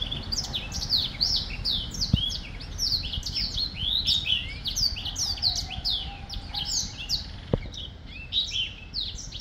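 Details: Black-throated finch singing: dense, overlapping high chirps and short downslurred notes, packed continuously across the clip, with two sharp clicks and faint low background noise.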